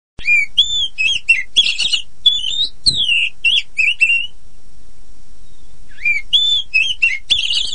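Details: Oriental magpie-robin of the poci type singing a lure song meant to coax silent or untrained magpie-robins into singing: clear whistled notes, slurred and falling, in quick bursts, then a pause of about a second and a half before the phrases return.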